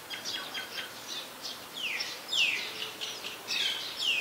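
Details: In Ubon Ratchathani, Thailand, 15 December 2020, a Common myna gives rapid chattering notes that give way to loud, strongly descending whistled sweeps repeated roughly every second, against faint steady background noise; recorded with a Nikon P1000.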